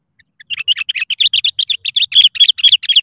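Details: Sooty-headed bulbul in lively song to call rivals and draw other bulbuls into singing: a fast unbroken chatter of bright, twisting chirps for about two and a half seconds, growing louder toward the end.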